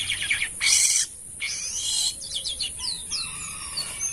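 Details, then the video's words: Asian pied starling singing short whistles and chatter, broken by a loud harsh rasp early on, then a run of quick descending whistled notes. "BURUNG JALAK KAPAS GACOR ‼️ Unik Suaranya dan Rame"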